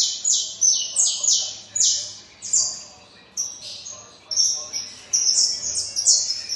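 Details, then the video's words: Saffron finch singing loudly: a series of sharp, high, descending chirped notes repeated in rapid bursts, with short pauses between phrases and a faint low hum in the background. "canário da terra cantando muito"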